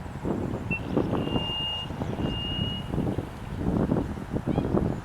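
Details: A Little Grassbird in reeds around a lake at Karkarook Park, Heatherton, suburban Melbourne, Australia, gives long, level, high whistled notes, each held about a second, like a reversing truck's beeper, over heavy low rumbling background noise.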